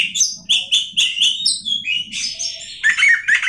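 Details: Oriental magpie-robin singing a quick, repeated string of bright whistled notes, then lower, fuller warbled phrases, with faint low noise beneath.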